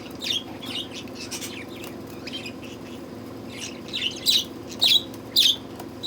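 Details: Budgerigars feeling the summer heat give sparse soft chirps at first, then louder sharp tweets in quick bursts near the end, about every half second, over a low background hum.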